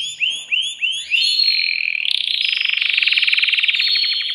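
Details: Excited male canary in a cage, singing to rouse a female for mating: a few quick upward-swept notes, then a long, fast, even trill of rapid pulses delivered with steady loudness.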